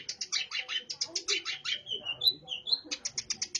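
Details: Long-tailed shrike in lively song laced with burung gereja (sparrow) imitation, delivering fast, harsh chattering chirps with a few thin whistled slurs in the middle, almost without pause.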